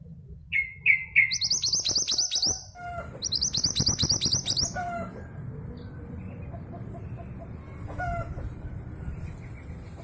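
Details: Female long-tailed sibia, a local bird from East Java, used as a lure to set silent males singing: a few clear whistled notes, then dense buzzy high chattering bursts in rapid series, fading to scattered whistles over low background rumble.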